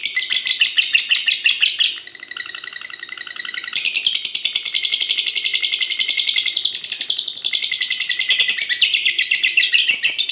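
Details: Competition lovebird about six and a half months old, a fighter bred for long song duration, pouring out a continuous fast, rattling, buzzy chatter with shifting pitch bands, barely pausing over ten seconds.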